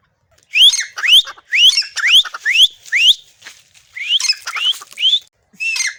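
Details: Black francolin perched on a mango tree among garden trees, giving a run of loud, hoarse, upslurred notes roughly twice per second, each a grating rising squawk, with a short break and a fainter final note.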